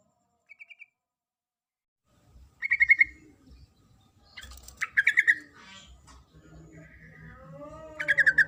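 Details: Calling the male, a female Sooty-headed bulbul gives several quick chattering bursts, starting with a faint one. Low humming and sliding tonal background sounds accompany the later calls.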